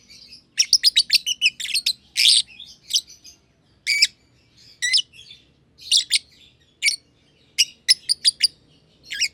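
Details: Green and green pied personata lovebirds, two close companions playing in an aviary, give a fast run of shrill chirps at the start, then harsher grating notes and scattered sharp tweets at irregular gaps.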